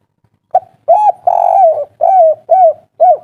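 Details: Kuk 3 call of a spotted dove, agitated and used to provoke rival doves to respond: short opening note, one long buzzy coo, then four evenly spaced arched coos, close and clear.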